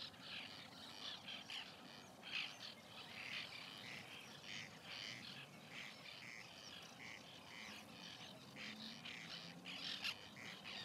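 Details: White-winged terns at a nesting colony in 2021, giving harsh, rasping calls in overlapping bursts from several birds, with a continuous low rumble beneath.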